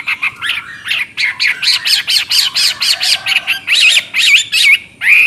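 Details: Chinese hwamei in lively ngoceh song: a fast series of buzzy, evenly spaced notes gives way to rich, looping whistles that rise and fall, ending on a strong upswept whistle.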